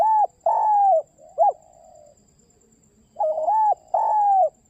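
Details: Spotted dove calling to its companion with low, rough coos: two long coos, a short one and a soft trailing note, then the pattern repeats with two more long coos; a faint steady high tone runs throughout.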